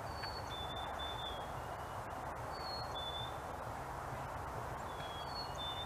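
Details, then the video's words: Black-capped chickadees singing fee-bee, or cheeseburger, to each other: sweet whistled two-note phrases, the first note higher and the second lower and drawn out, given three times over steady background noise. "Chickadee Singing fee-bee/cheeseburger Call"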